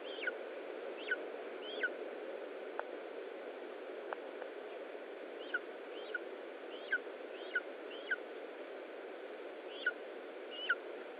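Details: Feeding at a lesser spotted eagle nest in Estonia, 20 July 2012, 15:45: a dozen brief high-pitched descending whistles, spaced roughly a second apart, with a few sharp clicks, against continuous background hiss.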